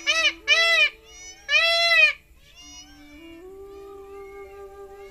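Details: A peacock in Tharparkar gives three loud, nasal, wailing cries in quick succession, then a steady droning tone carries on, much like background music.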